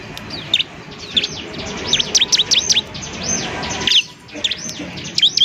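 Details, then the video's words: Semi-adult ciblek (bar-winged prinia) singing as a model for other birds to learn from; spaced high arched whistles and paired looping notes over a faint background hiss. "ciblek semi gacor, JADIKAN ciblek semi bahan agar cepat bunyi gacor"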